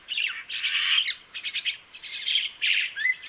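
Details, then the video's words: A crested myna gives a run of harsh, scratchy chattering phrases with squeaky whistled notes, delivered in rapid pulses with brief dips between them, ending on a short rising whistle. "Canto do pássaro Mainá de crista"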